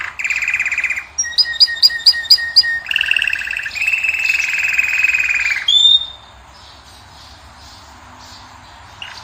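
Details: Moroccan European goldfinch, heard with a canary, singing to attract a female. Bursts of dense buzzy trills alternate with a fast run of clipped repeated notes and a bright whistled phrase, then stop into near silence.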